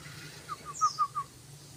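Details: Yellow-vented bulbul song used to lure other bulbuls: a short soft run of five clear, even notes in quick succession, over a low steady background hum.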